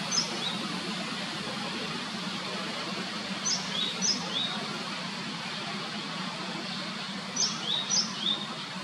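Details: At least four Japanese sparrowhawk chicks, feeding, give thin, high, downslurred squeaks, often in quick pairs, a few seconds apart, over a steady background hiss and low hum.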